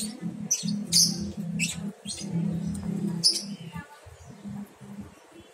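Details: Young lovebird, about a month old and starting to venture out of the nest box, makes a string of brief thin high chirps in the first half, with a low droning hum throughout.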